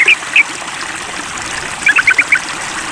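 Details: Sooty-headed bulbul calling to a rival, giving two slurred notes, then after a gap a quick cluster of six sharp chattering notes, over a background hiss.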